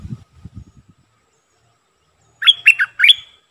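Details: Streak-eared bulbul, a decoy bird, gives one short song phrase of three bright, bubbly, warbled notes near the end. Low dull thumps come first, then silence.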